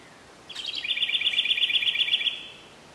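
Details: A Carolina wren in Wayne County, New York, sings an unusual song: a fast, bubbly, high trill of rapidly repeated notes lasting about two seconds, much like a house wren's song, over a faint steady hiss.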